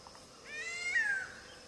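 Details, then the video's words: Grey-headed kite call: a single drawn-out, cat-like mew lasting under a second, rising slightly and then sliding down at the end, over quiet background hiss. "Gray headed Kite call"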